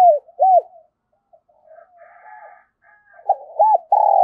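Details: Spotted dove used as a decoy, calling in the 'thổ thúc' cooing style to attract others. Arched, hollow coo notes open and close the stretch, with quiet murmuring notes in between and a loud buzzy note at the end.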